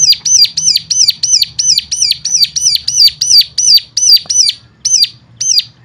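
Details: Bird sound used to stimulate other caged birds into singing: a steady run of sharp, high, hooked chirps, about three each second, slightly spacing out near the end, over a faint low hum.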